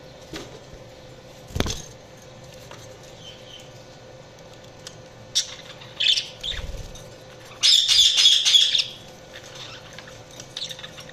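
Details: Budgerigar chirping in scattered bursts: a few short chirps, then a loud buzzy warbled squawk of about a second near the middle, with a couple of soft knocks and low hum between.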